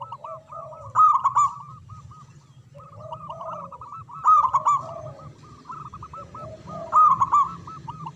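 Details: Local zebra dove, loud-voiced, singing manggung: about every three seconds a loud rolling burst rises out of continuous looping notes, over a steady bed of low cooing pulses.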